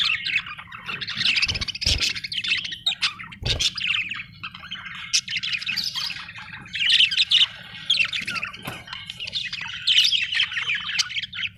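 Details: Budgerigar chirping continuously, dense warbling chatter with bright squeaky notes and short sharp clicks, loudest in bursts around the seventh and tenth seconds, over faint low hum.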